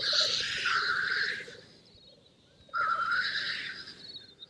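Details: Black grouse males on the lek on a moor before dawn, challenging for territory and the greyhens' attention: two loud, harsh hissing sneezes about three seconds apart over a soft, low bubbling coo.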